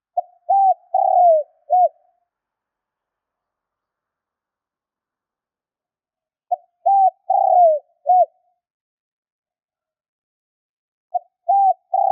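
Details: Low, mellow spotted dove coos meant to stir up wild doves, repeated in a steady rhythm roughly every five seconds: each phrase has a quick pickup note, a flat hoot, a long sliding downward coo and a short end note.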